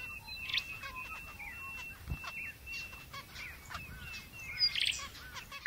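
Zebra finches give short, nasal, toy-trumpet beeps in quick, overlapping bursts.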